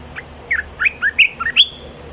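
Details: Caged red-whiskered bulbul delivering a new song phrase of about seven liquid, slurred whistles, alternately rising and falling, ending on a higher up-sweeping note, with a soft low hum throughout.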